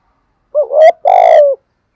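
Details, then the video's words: Spotted dove calling in the 'giọng thổ' voice, a lure meant to provoke wild doves into cooing. A single clear phrase: a wavering rising note runs straight into a longer, steady, low coo that fades out slightly. "tiếng cu gáy giọng thổ gù thúc, chim cu gáy kích bổi hiệu quả, thúc gù dục bổi gáy theo"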